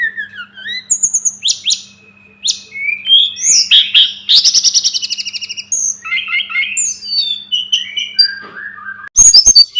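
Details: Sunda robin (tledekan gunung) masteran song with falling whistles, a fast rattling trill, scattered chips, and soft descending slurred notes, ending in a loud burst of sharp high notes.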